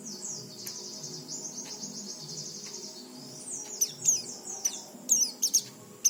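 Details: Softer, more distant oriental white-eye song over steady hiss: long high wavering tones, then scattered sharp chirps near the end, intended to stimulate untrained white-eyes to sing.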